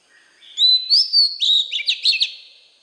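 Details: White-rumped shama song used for voice training of young birds: clear whistled notes near 4k, a sliding whistle followed by quick rising and falling phrases repeated in a rapid series.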